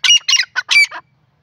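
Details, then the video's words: Grey francolin (sindhi teetar), a pair, giving a loud burst of four or five harsh, grating notes in about one second, the last few broken and slightly lower, with no other sounds behind them. "new jora sindhi teetar ki beautiful awaz"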